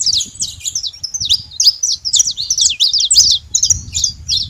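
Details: Free wild saffron finch producing a rapid, somewhat irregular string of high chirps and twittering notes, roughly nearly three per second, continuous across the clip, over low background rumble.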